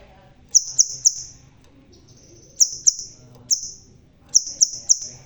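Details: A crimson sunbird, red-tailed and bald, still singing strongly: three quick shrill notes, a long thin high trill, then further bursts of two and three sharp notes with fading tails.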